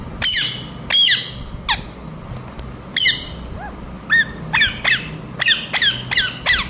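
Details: Ringneck parrot calling with loud harsh screeches, each a sharp high note sliding downward, in spaced bursts then a rapid run of about six calls toward the end, low hum beneath.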